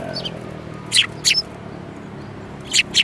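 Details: A small flock of sparrows, including a yellow-beaked one, on 5 February 2018, calling with two loud clipped chirps near the start and two more at the end, separated by a quiet gap.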